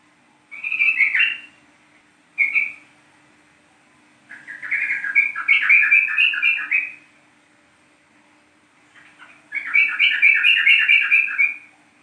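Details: Yellow-vented bulbul (trucuk kebo) from East Java singing a lure song meant to make other bulbuls sing: bright, bubbling warbled phrases of one to two seconds, repeated in bursts, with a faint steady hum throughout.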